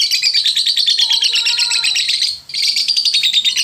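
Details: Lovebird in full song, played to provoke lazy lovebirds into singing: loud, continuous, rapid high-pitched chattering, briefly broken off near the middle before resuming, with a soft lower whistled tone underneath for a moment.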